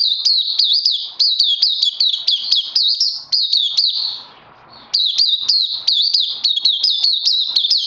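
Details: Oriental white-eye singing in captivity on 31 May 2020. Fast, high, repeated chirping notes in a dense stream, interrupted by a short silent gap of about one second before the chirping resumes.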